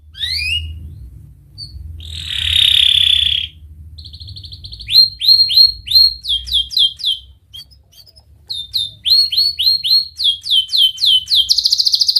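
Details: Canary song as a lure for young canaries learning to sing: scattered chirps and a loud buzzy burst, then a thin rattle, followed by bursts of sharp rising and falling chirps with short pauses between phrases.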